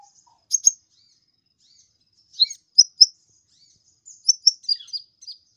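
A brown-throated sunbird gives thin, high, sharp chirps in short bursts, a quick pair, then a scattered twittering run, over a quiet background.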